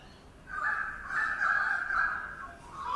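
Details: A currawong building a nest early in the morning above a Sydney birdbath gives one drawn-out, ringing call of about two seconds, slightly wavering in pitch, over faint hiss.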